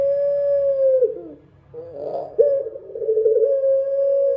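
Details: Dove at night with a sustained, level coo that breaks into a tremulous, lower section and a brief rough burst, then returns to a long, steady note. Faint low hum in the background.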